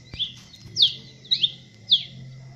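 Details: Masked cardinal from Colombia, Venezuela and Trinidad and Tobago giving a few loud, bright chirped notes, some doubled, in a short burst over a low background hum.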